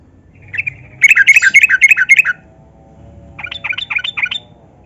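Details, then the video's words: Yellow-vented bulbul singing fast, long phrases as a lure for reluctant captive birds: a loud run of about ten rapid bubbly notes, a pause, then a softer similar chattering phrase. "Trucukan Gacor Pancingan Burung Bahan Jantan dan Betina Agar Garuda dan Bunyi"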